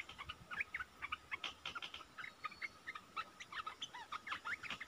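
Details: Bubbly, quick chirping notes of red-eyed bulbuls, a lure call for trapping wild birds, mid-January 2022; notes tumble densely with a thin steady tone in the background.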